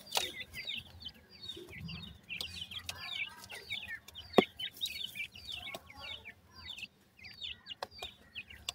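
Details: A group of captive dakni teetar (grey francolin) chicks in Multan; rapid bursts of high, downslurred peeps from several birds, pausing briefly near the end, with a low hum and a few sharp taps.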